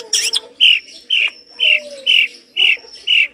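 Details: Long-tailed shrike in active song gives a series of harsh rasping notes, about two per second, after an opening burst of scratchy chatter. A faint lower whistle sounds behind.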